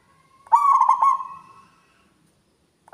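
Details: Local zebra dove with a big, clear voice gives one phrase of quick pulsed coos that stretches into a long, even, fading note, then a fresh phrase begins right at the end.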